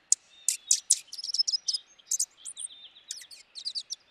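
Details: Dark-eyed junco chattering: a quick, uneven run of high, sharp chips and short twittering notes, some slurred upward, crowded together over four seconds.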